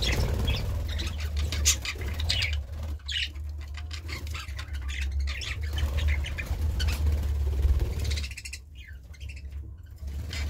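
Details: Budgerigar squawks and fast scratchy chatter come and go in clusters across the recording, over a constant low background rumble.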